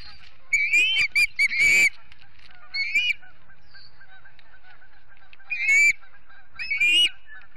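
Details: Ospreys calling at the Charlo, Montana nest on a typical September morning, 7 September 2016, recorded by a live stream camera: a quick cluster of piercing whistled chirps, then a few isolated rising calls.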